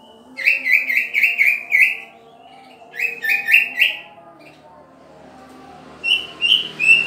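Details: Green leafbird kept during pairing with a mate: three bursts of quick, slurred warbled notes, each phrase of four or five chirps, separated by short pauses, with a faint low hum behind.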